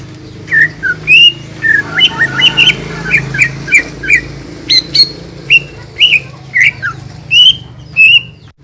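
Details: Greater Green Leafbird, a master recording for cage birds, used to stir quiet birds into singing: a fast run of short, sharp whistled notes around 2–4k, each sliding or flicked, over a steady low hum.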